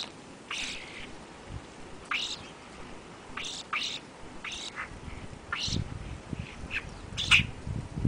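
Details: European starlings feeding in the afternoon of February 8, 2013, ahead of an overnight blizzard; separate harsh, descending squawk-like calls every second or so, with low thumps and rustling underneath.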